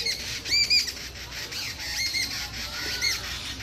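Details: Brown babblers (Turdoides plebejus), several birds shouting, give harsh, scratchy squawks in quick bursts, chattering over one another with short, high nasal notes mixed in.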